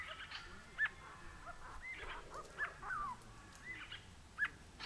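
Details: Grey-crowned babbler at Coolmunda Dam near Inglewood, Queensland, Australia, recorded on a Canon Powershot S5 IS: short mid-pitched squeaky notes and sharp clipped whistles, several in under five seconds, over faint background chatter.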